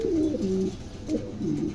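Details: Pigeon cooing indoors: low, soft warbled coos, each gliding down then levelling, repeated in quick phrases.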